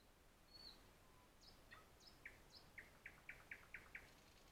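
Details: Red-backed shrike at its nest by a road on 13 June 2016, giving a run of short, sharp clicking notes, about four a second, after a few thin high squeaks; faint background hiss.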